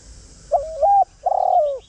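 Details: A spotted dove used as a lure bird gives its calling coo: a soft note, a level hoot, a higher held tone, then a long vibrating coo dropping at the end. Faint hiss underneath.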